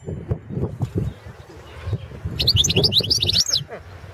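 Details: Balkan European goldfinch (Carduelis carduelis balcanica) recorded for an online goldfinch song championship, 2017; after low rumbling noise, a quick bright run of liquid, chirping high notes lasts about a second.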